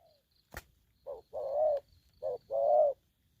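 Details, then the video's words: ['Spotted dove behaving aggressively, delivering two pairs of low coos, a brief note followed by a longer rolling one, after a sharp click.'] "Bổi thổ tơ hung hăng"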